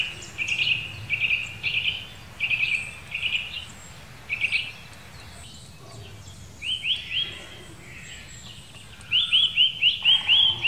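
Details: Eurasian nuthatch in the Wittlicher Senke gives short bursts of quick high notes, then fast series of rising whistles, against steady low background rumble.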